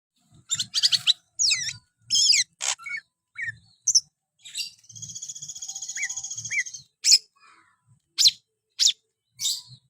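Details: Greater green leafbird performing an energetic, hyper song: sharp high chirps, quick rising slurs and a sustained buzzy trill lasting about two seconds, with soft low knocks between phrases.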